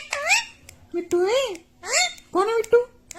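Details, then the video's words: Talking parrot, a green ringneck, mimicking human words, calling "mummy" and "mitthu" in a row of clear, nasal, speech-like syllables with rising and falling pitch, indoors. "Talking parrot || mummy mitthu || mithu mitthu || bolne wala tota"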